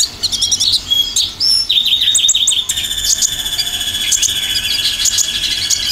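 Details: Olive-backed sunbird lure song dominated by 'tembakan' phrases: a fast trill of short dropping notes, then sharp high chirps over a steady high-pitched hum.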